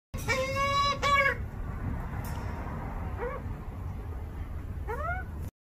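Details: Hungry juvenile Australian magpie, two and a half months old, calling while being fed by its four-year-old mother; two loud, drawn-out nasal calls in the first second, then fainter rising calls near three and five seconds over a steady low hum.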